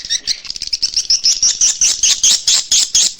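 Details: Swiftlet call played to attract swiftlets to nest houses: a rapid run of high, sharp chirps, about two per second, at first quick and overlapping, then evenly spaced and louder toward the end.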